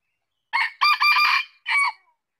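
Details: A red junglefowl gives a single brisk crow, broken into a quick first note, a longer hoarse middle stretch and a short final syllable, heard cleanly against a silent background.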